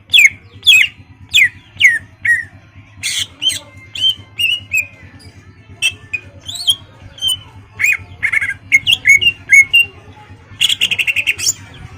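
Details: Greater green leafbird in active song, meant to provoke a rival bird into flaring and fighting; loud clear whistled notes, often downslurred, in quick irregular series, ending in a dense rapid burst, over a steady low hum.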